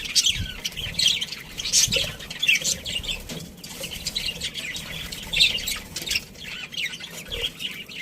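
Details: Budgies in a breeding colony give scattered scratchy chirps and squawks, irregular and overlapping, with a few sharper whistled notes and soft rustling between calls.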